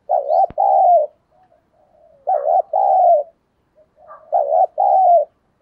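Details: Spotted dove giving provoking coos meant to stir fighting: three low, mellow phrases, each a brief dipping note then a drawn-out coo, with a sharp click near the start.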